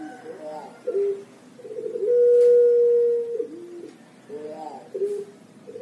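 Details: Pelung turtle dove from Java, Indonesia, a young bird, gives rippling coos followed by a long, level drawn-out hoot lasting over a second, then another run of short rolling notes begins.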